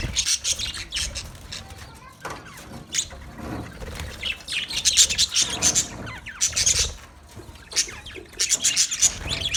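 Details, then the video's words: Budgerigars in a colony chirping together: dense, overlapping bursts of high, scratchy chirps and twitters, in busy clusters separated by brief quieter gaps, with soft lower rustling beneath. "Budgies chirping sounds"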